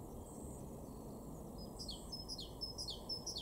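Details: Great tit song from a garden in Weener, East Frisia, March 2023: after a quiet start, a quick series of thin, high, descending whistled notes about two per second, with a constant low rumble behind.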